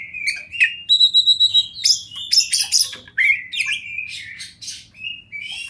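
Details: Oriental magpie-robin, champion kacer singing in wild river and forest surroundings for masteran: sustained clear whistles, a fast trill of repeated notes, then sliding, rising and falling buzzy phrases. A soft low hum runs beneath.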